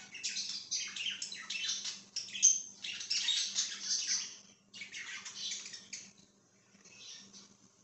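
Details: Budgerigar chirping, dated 5/10/2023: dense, scratchy warbling chatter of rapid high chirps and buzzy notes, pausing briefly near the five-second mark before softer chirps resume, over a faint low electrical hum.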